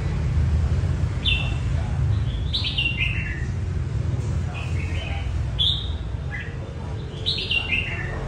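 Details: Red-whiskered bulbul practising its competition song: a string of brisk, clear whistled notes falling in pitch, repeated in bursts every second or two over constant low-pitched background hum.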